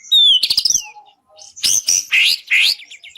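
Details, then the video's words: Clean recording of a white-rumped shama singing for songbird contest training: a bright descending whistle, a rattly burst, a short pause, then three loud upswept high notes. "Masteran burung murai"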